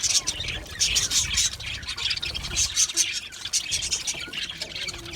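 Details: Australian budgies in a colony aviary, bursts of shrill, rapid chirping and twittering from several birds, rising and falling in loudness.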